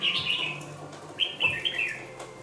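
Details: Two-month-old red-whiskered bulbul, caged, gives a quick warbled phrase. After a short pause it follows with a second, longer run of bright, slurred chirps that descend slightly at the end.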